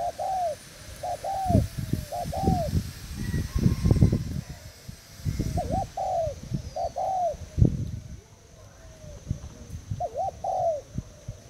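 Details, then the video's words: Decoy spotted dove of Thailand type, recorded 18 June 2018, repeating paired, curving coos in regular phrases, with loud low knocks and bumps mixed in throughout. "Cu gáy thailand mồi trần dây"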